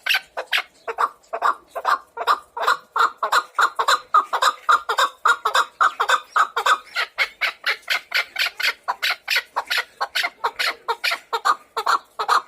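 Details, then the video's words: Chukar partridge calling: a rapid, sustained run of harsh, clucking chuck notes, roughly three or four per second, growing slightly louder and busier midway and continuing steadily to the end, with no other clear sounds. "Беҳтарин кабк овозшда гап нест"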